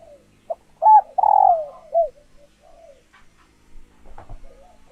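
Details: Spotted dove hen in laying condition, held captive, calling to arouse males into cooing for mating; a clipped note, a rising coo and a drawn-out husky descending coo, then soft coos and faint tapping.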